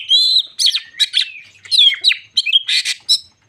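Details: White-crowned shama used as a lure to provoke other shamas, giving a loud, varied song of whistled slurs, sharp chips and buzzy notes in quick bursts with short pauses.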